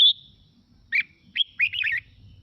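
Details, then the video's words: Red-whiskered bulbul singing, played to get other birds singing along: a bright high whistle, a pause, then two chirps and a quick run of warbled, twisting notes, faint low background hum. "Mào Mộc Hót Hay Kích Chim Hót Theo Để Lên Lửa"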